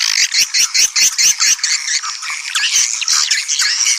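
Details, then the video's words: Calling sound to bring in swiftlets: six or seven evenly spaced chirp bursts in the first second and a half, followed by a continuous, wavering chatter of high squeaky twitters. "Panggil burung walet suara panggil"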